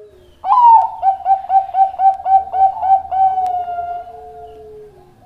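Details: Bangkok-type zebra dove (perkutut) singing actively, kept as a recording for training other doves: after a sudden start, a quick run of about ten soft, rounded coos with rolling quality, ending in a long drawn-out purring note.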